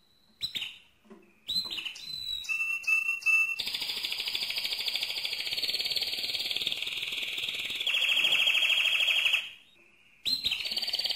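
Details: Mosaic canary's loud song starting with scattered whistled notes and short phrases, then extended buzzy rolls at two pitch levels, a short pause, and the rolling resumes.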